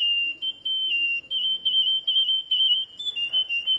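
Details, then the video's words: Canary singing a long, pure, high whistled song held on a near-steady pitch, broken into rolling trills and short pauses, with slight wavering and a brief higher note near the end; quiet background. "تغريد كناري عجيب"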